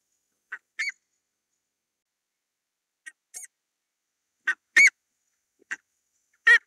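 Buff-necked ibis giving short, harsh, honking calls in scattered bursts, some doubled, separated by pauses of a second or more; nothing else is heard.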